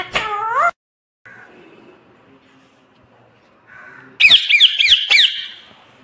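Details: Talking pet parrot that says "mummy papa": one short voiced word at the start, a long quiet gap, then a burst of shrill, rapid squawking notes repeated several times a second.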